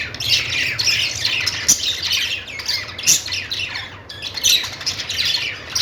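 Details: Budgies making happy sounds: lively overlapping chirps and warbles, with crisp sharp notes near 1.7 and 3.1 seconds and brief lulls between bursts of chatter.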